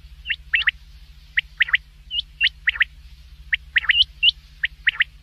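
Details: A common quail gives its call at night: crisp, ringing triple-note phrases with a few higher clipped notes mixed in, repeated roughly once a second over a faint low hum.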